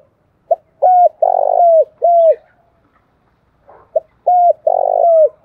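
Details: Morning cooing of a decoy spotted dove calling to wild doves: a short soft note, then two long level coos and a falling final coo, the phrase repeated twice with a pause, clean and without other sounds.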